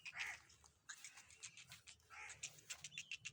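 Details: Black francolin calling in Sindh, Pakistan: harsh, grating bursts in two rough phrases, each followed by quicker scratchy notes, over a low background rumble.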